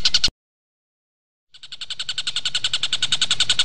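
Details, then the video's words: Kingfisher (tengkek buto) in training audio for magpie-robins: a few sharp notes, then over a second of silence, after which the fast, high chatter returns softly and builds, about three to four notes per second. "Tengkek buto gacor buat masteran murai"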